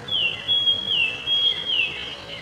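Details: Bronzed drongo giving a clear, high whistled note, held level and broken by two quick downward slurs, lasting about two seconds over a quiet background.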